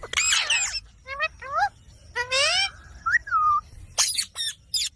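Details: Green ringneck parrots, shown dancing, mix a chattering squeal with rising nasal calls, a bent whistled note and short sharp screeches, each spaced by brief gaps.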